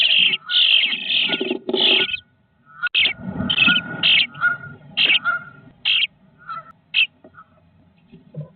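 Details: Bluebird nestlings on day 18 in a nest box give harsh, raspy bursts of begging calls in quick clusters, with soft rustling and a few faint higher chirps between the bursts.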